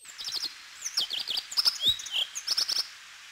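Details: Corn bunting (Emberiza calandra), a rare or passage bird in Corrèze, France, calls with sharp, high ticks and chirps in quick irregular bursts, a brief slurred whistle midway and a soft low thump.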